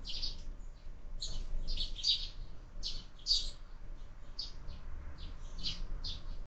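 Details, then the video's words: Sparrows feeding at a feeder fixed to a window: scattered short high chirps, some doubled, over a steady low rumble of background noise. "Воробьи в кормушке - завтрак"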